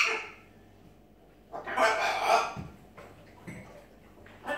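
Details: Pet macaw giving a loud, harsh, raspy squawk lasting about a second, preceded by a shorter rough call and followed by a few brief softer squawks, with a low steady hum in the background.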